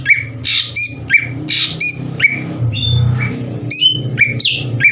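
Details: Greater green leafbird used as a lure to excite other leafbirds: bright repeated whistles and short slurred notes over a steady low hum and background noise.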